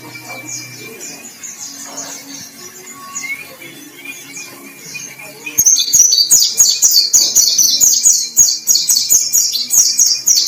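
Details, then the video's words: White-breasted white-eye, described as battle-ready and in vigorous song: faint, distant chirps and a thin repeated whistle at first, then a loud, fast, sustained torrent of high twittering notes for the second half. "BURUNG PLECI DADA PUTIH GACOR"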